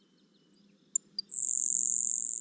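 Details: Grasshopper Sparrow singing in summer at Kankakee Sands, Newton County, Indiana: a few very high, thin ticks, then a long, dry, insect-like buzz held over a second, over a faint low hum.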